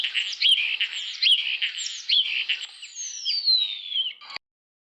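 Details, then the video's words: In spring, a Common Starling, among the first migrants back from warm lands, sings a busy, high jumble of clicks, squeaks and whistles, ending in a long falling whistle. "Шпак один з перших прилітає з теплих країв до нас послухайте як Шпак співає"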